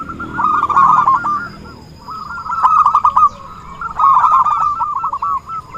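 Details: Zebra dove singing keenly as a trapping decoy, three bursts of rapid staccato cooing separated by quieter gaps of about a second.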